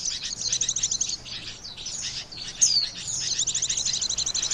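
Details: Trapping lure of Oriental white-eye: high, thin, rapid chirps run together into a continuous twitter, with one loud downward-sweeping whistle near the middle.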